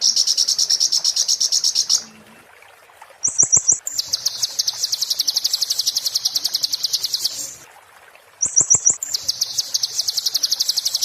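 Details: 'Muntah beling' song of an Oriental white-eye, recorded to tutor magpie-robins: long, fast, shrill trills broken by pauses, each followed by a short buzzy burst with clicks, before the trilling resumes.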